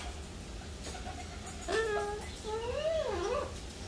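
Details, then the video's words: A cockatoo in a quiet indoor room imitates a lizard sound and says hello, giving two drawn-out, voice-like notes, the second wavering up and down like a spoken "hello". "COCKATOO MAKE LIZARD SOUND &SAY HELLO"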